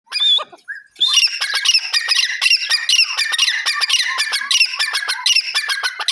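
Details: Grey francolin, locally called teetar, giving a dense run of harsh, squawking notes repeated rapidly and steadily after a brief high whistle and a short pause at the start.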